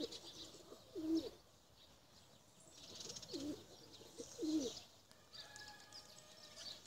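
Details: Three separate low, rolling coos from domestic tumbler pigeons, spaced over several seconds, with a faint steady hum and background hiss.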